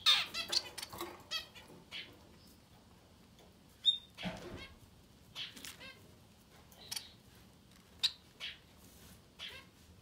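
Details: Society finch chicks up to ten days old begging: clusters of thin, high rasping and hissing calls in short bursts with quiet gaps between, plus a few brief sharp squeaks.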